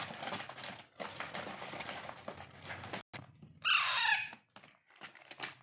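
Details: Alexandrine parakeet chick, hand-fed daily, gives one loud, hoarse begging screech lasting under a second, after a stretch of rustling and clattering handling sounds.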